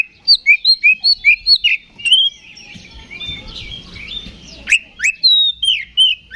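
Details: Fighting song of an Oriental magpie-robin, ngeplong style, used as a lure to rouse rival kacer. An even string of about eight bright whistled phrases is followed by a softer warbled passage over faint rustling, then loud upsweeping notes.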